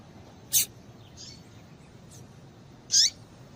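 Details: Calls of a female double-collared seedeater, meant to prompt males to sing: a crisp, high, falling note, then a fainter chip, and the falling note again near the end, over steady low hiss.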